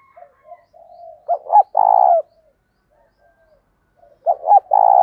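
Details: Spotted dove giving its morning lure call to draw wild doves, thổ style with thúc coos: soft low murmuring coos, then a loud two-note phrase and long buzzy coo, repeated about three seconds later.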